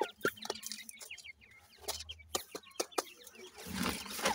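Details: Dakhni teetar chicks, grey francolin young, peep in short, high upslurred notes among clicks, before a rush of broad noise drowns the last second.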